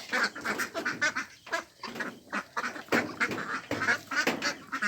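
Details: Ducks quacking at a pond with Mandarin ducks, mallards and Pekin ducks; dense, harsh, broadband quacks come in quick, irregular bursts, often overlapping, at roughly one per second.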